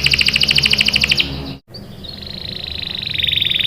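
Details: Canary 'gacor' song meant to draw young canaries into singing: a bright run of paired high notes, a brief dropout, then a rising, quickening trill.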